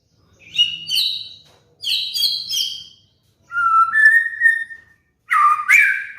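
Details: White-rumped shama lure song for training moulting caged birds: high, bright, ringing phrases, then a two-part rising whistle, then a harsh, buzzy burst, each separated by short gaps.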